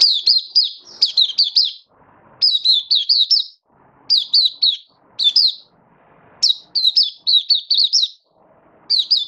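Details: Malaysian white-eye, a hobby song bird, singing in warm, sunny Singapore weather, 20 March 2023. Lively, repeated clusters of high, down-slurred chirps pour out in phrases roughly every one to two seconds.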